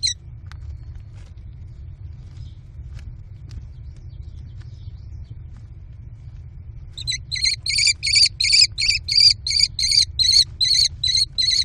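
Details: American kestrel nestlings in a nest box during a feeding frenzy with steals and mantling: about seven seconds of near quiet with faint taps, then a fast train of piercing, harsh screams, roughly three per second.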